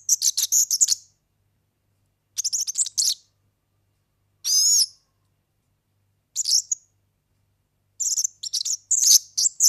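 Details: European serin (organeli) song meant for teaching young birds: high sizzling trill phrases roughly every two seconds, one clearer rising-falling whistled note in the middle, with clean silence between phrases.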